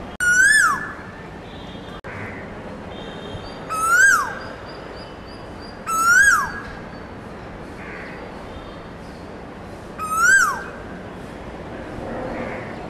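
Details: Male Asian koel singing in a neighbour's garden: four loud, clear whistled notes, each sliding up and then dropping sharply, spaced about two to four seconds apart, with faint chirps of other birds in the background.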